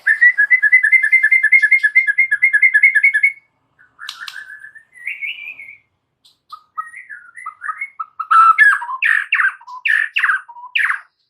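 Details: White-rumped shama in lively, very active full song: a fast run of repeated whistled notes, then varied slurred whistles and a burst of loud, rich rapid phrases.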